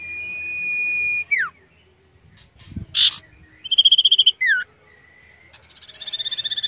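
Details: Common iora being trained for competition: a sustained high whistle, a steep downward slur, a harsh burst, then fast pulsed trills and slurs, closing with a buzzy trill.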